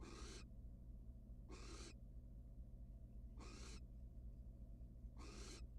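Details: A wild barn owl in a nest box, after the male's return without food and the female's indifference: four widely spaced rasping hisses, about two seconds apart, against quiet background hum.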